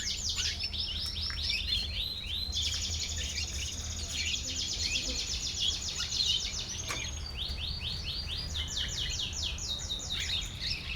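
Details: Riwikan-style song of a panda canary, a nearly unbroken stream of rapid high rolling trills that switch between several distinct trill types, with brief chirpy phrases between them and a constant low background hum.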